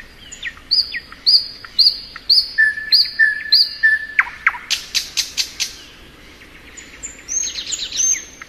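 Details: Thrush nightingale in spring song: about seven repeated high whistled slurs, a few level whistles, a burst of loud rapid clicks, then soft high twittering.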